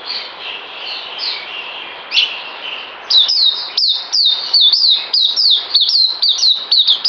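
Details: Captive white-eye recorded 9 December 2018 ahead of deworming: a few quiet high notes at first, then an abrupt loud burst of rapid descending whistles repeated about three times a second.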